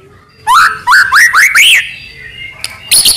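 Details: Murai batu, or white-rumped shama, in a full-fill tutor recording: four or five slurred whistles, each climbing in pitch, followed by silence and a few high chips.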